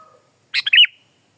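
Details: One short phrase from a kutilang (sooty-headed bulbul) used for pikat luring or masteran: a harsh click, a tiny chip, then a fluty rising-and-falling whistle, preceded by a faint steady tone.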